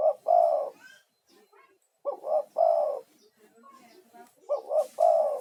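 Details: Spotted dove, an energetic male lure-bird, calling to attract other doves: low, hoarse cooing phrases of two or three notes, repeated roughly every two seconds with short pauses, against a quiet background with faint noises.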